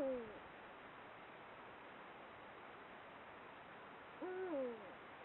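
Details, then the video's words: Eurasian eagle-owl at the start of the breeding season, recorded by camera trap, gives deep, mellow mating hoots that swell and drop away, twice with a long pause between, over a faint steady hiss. "Búho real; comienza el celo"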